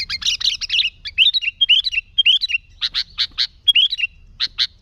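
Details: Lively sooty-headed bulbul song, the kind used to lure and provoke other bulbuls: a jumbled chirping burst, then looping whistled phrases, then separate sharp chips with a brief whistle between.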